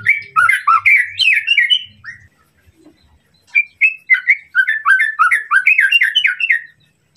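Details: Shama song meant to anger a rival bird: two bursts of quick, varied whistled slurs and sharp chips separated by a short quiet gap, sung loudly and rapidly.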